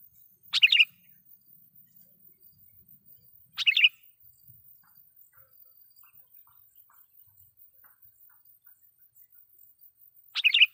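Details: Sooty-headed bulbul singing loudly as a lure to rile wild bulbuls, three short bubbly phrases separated by long pauses of about three and seven seconds, with faint low rumbles between.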